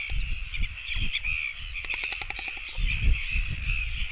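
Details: Royal albatross chicks come begging for food. A brief run of sharp, rapid clicks sounds midway over a steady high wavering hum, with gusty low wind rumbles before and after.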